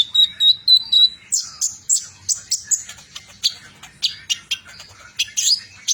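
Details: Metallic-mutation Van Hasselt's sunbird in trotol song, opening with a short series of pure high whistles, then a brisk, rhythmic train of sharp high chirps, several per second.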